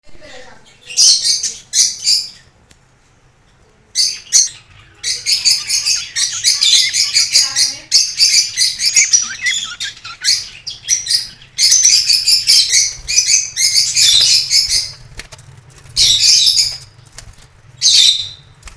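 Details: Budgerigar (Melopsittacus undulatus), chatter.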